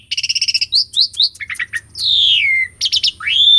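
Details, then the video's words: Energetic Asian pied starling song for prompting silent birds: opens with a fast stuttering trill, then bright upslurred whistles, short chips, a long descending whistle and a final rising whistle. "KICAUAN JALAK SUREN GACORAN - PANCINGAN JALAK UREN MACET"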